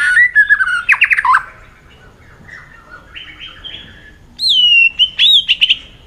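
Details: White-rumped shama in competitive, many-voiced singing: falling whistled notes and a buzzy trill, soft quiet phrases, then loud, high, clear whistles that drop and waver.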